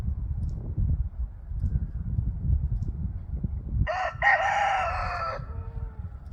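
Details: A rooster crows once in a crowing contest between several roosters taking turns: a short clipped opening note, then a long, harsh, drawn-out phrase, after several seconds of low rumbling background noise.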